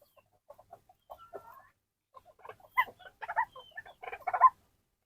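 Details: White-breasted waterhen, a kept bird described as very vocal, calling around feeding time: a series of short, harsh, croaking notes, sparse at first, then building into louder, denser bursts. No other clear sounds.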